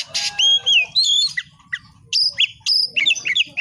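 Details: Kacer, or Oriental magpie-robin, in vigorous song: a rapid run of varied clear whistles, upslurred and downslurred, interspersed with short harsh chips, delivered in quick phrases with brief pauses.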